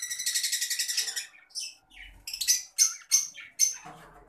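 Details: Adult green Fischer's lovebird giving a fast run of high, shrill chirps for about a second, then a pause and a series of sharp, piercing single notes spaced roughly a third of a second apart, indoors.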